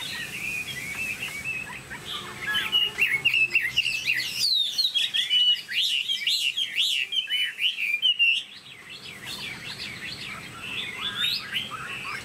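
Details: Tamed Chinese hwamei, a kept cage bird, delivering a rich whistled song of quick up-and-down slurs that builds into a dense burst of phrases before easing into softer, spaced notes.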